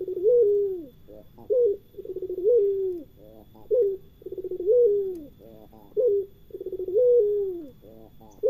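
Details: Pelung-type island collared dove giving low, repeated two-part coos: a brief note, then a drawn-out vibrating coo that sags at the end, cycling steadily roughly every two seconds in a quiet setting.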